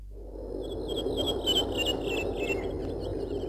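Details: European serin singing in the high parts of mountains in Bulgaria: a fast, jingling run of high, thin twitters, sounding mostly in the middle of the clip over a steady low background hum.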